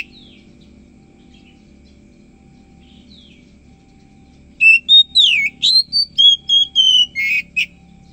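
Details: Oriental magpie-robin singing in the morning: after several seconds of near silence with a few faint notes, a burst of loud clear whistled phrases, sliding and steady notes in quick succession, about nine notes in three seconds.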